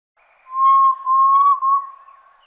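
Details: A Red-legged Tinamou (Crypturellus erythropus) sings a steady, pure, mid-pitched whistle lasting about two seconds, barely wavering and briefly broken twice, over a quiet background.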